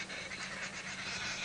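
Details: On a cool, clear sunrise safari drive in South Africa on 1 June 2017, a group of babblers gives harsh, raspy, overlapping chatter in a continuous noisy chorus, with a low steady vehicle-engine hum underneath.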